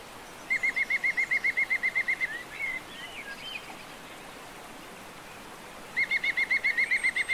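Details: Wild European green woodpecker (Picus viridis), León mountains, Spain, in January 2022, gives two fast ringing series of even, clipped notes, about fourteen then ten, roughly four per second, with a few faint chirps and hiss between.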